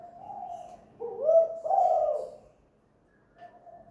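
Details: Spotted dove, a lure bird at home singing the two-note 'kuk gantung' song: a soft lead-in coo, then a louder rising, rolling double coo, and a trailing quiet note.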